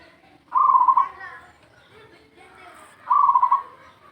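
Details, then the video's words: Local zebra dove, played as a lure: two rapid, pulsed, trilling coo phrases about half a second long, the second some two and a half seconds after the first, over quiet, faint background hiss. "SUARA PERKUTUT LOKAL BUAT PANCINGAN"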